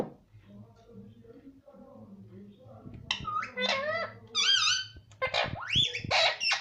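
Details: Talking parrot said to say mummy, indoors: a low steady hum and murmuring for three seconds, then the bird's loud, whistled, wavering syllables and squeaky bursts take over.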